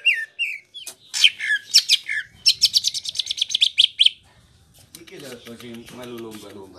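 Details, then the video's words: Greater green leafbird from Indonesia singing the rolling ngerol song. A few whistled notes lead into dense chattering trills and rapid repeated chips. The song then stops, followed by a low, murmuring sound. "Suara Burung Cuc4k Ijo Ngerol Dur4si P4nj4ng"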